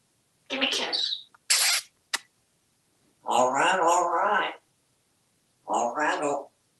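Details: Male African grey parrot, hatched 1997 and kept as a pet in a Texas home, talks in clear voice-like phrases for Halloween: a quick clipped word with hissy consonants, then two longer spoken phrases a second apart.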